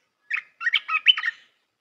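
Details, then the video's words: Red-whiskered bulbul singing a song meant to teach young birds, one short note then a fluid chattering phrase of four or five bubbly, slurred whistles, clear against silence. "เสียงนกกรงตาแดงEp.168 เสียงหัดนกลูกเสอ เพลงเพราะ น่าฟัง"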